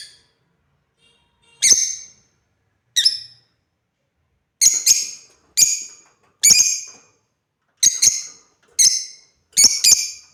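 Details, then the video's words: Pet African lovebirds playing, a string of loud, sharp, shrill chirps at uneven intervals, sometimes doubled in quick pairs, over a quiet background. "Love Birds #playing"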